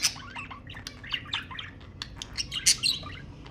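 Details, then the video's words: Caged budgerigars chatter to prompt breeding behaviour; busy high twittering with short chirps and squeaks, building to louder sharp calls near the end. "تحفيز البادجي على التزاوج حفز طيورك"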